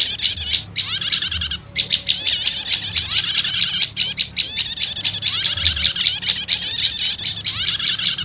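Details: Lure sound of prenjak lumut prinia mixed with prenjak setater, used to call in wild birds; nearly continuous high, scratchy chatter with rapid trilled notes, broken by short gaps.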